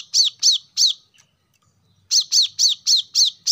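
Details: Plain-throated sunbird (kolibri kelapa), recorded to encourage caged birds to sing: three quick, sharp, downslurred chirps, a silent gap of about a second, then a rapid run of six similar chirps.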